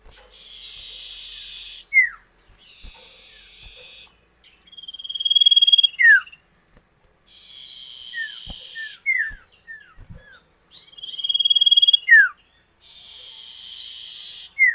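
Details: Common iora giving long buzzy drawn-out notes, each ending in a sharp falling whistle, alternating with bursts of quick bright chirps, repeated over and over.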